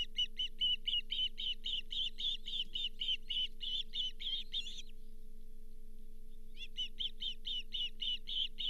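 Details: Charlo nest ospreys on 31 July 2023 as a lake whitefish, the fifth fish that day, is brought in: rhythmic run of high chirps about four per second, a short lull, then the series resumes; electrical hum below.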